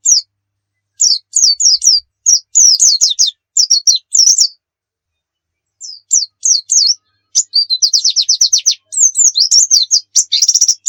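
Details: Oriental white-eye singing hard as tutor song for other birds: phrases of sharp high notes separated by pauses, then a long, even, rapid trill flowing into a tumbling warble.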